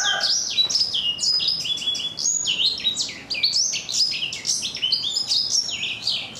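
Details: Four-month-old black-throated canary singing in a rough yet crisp voice: a continuous run of high, rapidly changing whistled and buzzy notes, many sliding down in pitch, delivered without pause over about six seconds.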